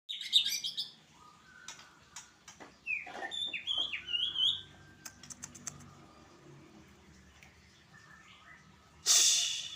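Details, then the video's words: White-rumped shama said to be ready for competition, giving scattered sharp whistled notes and short rising and falling phrases with quiet gaps between, ending with a loud burst of harsh noise. "Ciri_ciri murai batu siap digantangkan"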